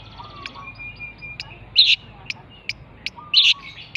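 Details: Javanese long-tailed shrike giving scattered high notes: thin level whistles, sharp isolated clicks at irregular intervals, and two loud rasping bursts a second and a half apart over a quiet background.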